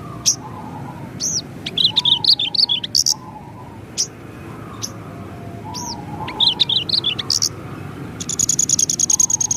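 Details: Energetic Javan bush lark song, 'ngerol' rolling with sharp 'nembak' notes, for tutoring pet birds: high slurred and wavering whistles in clusters, single sharp chirps between, ending in a fast, even, high trill.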